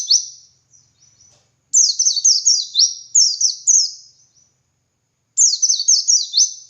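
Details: High-pitched ngalas song of a dakun white-eye, meant to prompt reluctant white-eyes to join in. Rapid chains of four or five falling, zigzag whistles, separated by silent gaps.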